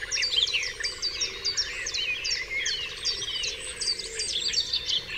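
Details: Wild birds in a dawn chorus on Dewlands Common: rapid, repeated high chirps and sharp whistled notes pile up over a faint pulsing buzz in the background.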